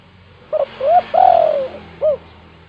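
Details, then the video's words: Spotted dove (tekukur) calling in the "kuk 2" gacor pattern, a lure for lazy doves: brief coo, upward-bending coo, extended falling coo and a clipped final note, over soft low room noise. "tekukur GACOR KUK 2 untuk pancingan tekukur malas bunyi"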